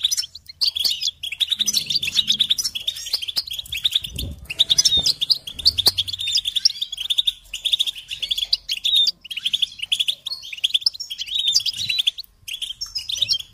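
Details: European goldfinch singing continuously, meant to stimulate and teach songbirds: rapid liquid twittering, nasal chatter and tinkling trill runs throughout, with occasional dull thuds and a short low hum early on.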